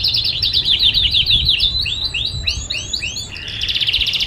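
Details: A newly acquired canary sings a fast, bright run of high notes, used for training other birds: rapid trills, rising and falling slurred whistles, then a dense buzzy trill, over a low rumble.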